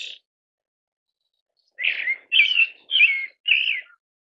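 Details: Pale thrush calling in a series of four rough, downslurred whistled notes spaced about half a second apart, after a brief clipped note and a long silence.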